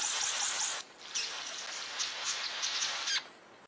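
A King of Saxony bird-of-paradise gives two bursts of harsh, hissing, static-like crackle, high and broad, each lasting a second or two with a brief gap between.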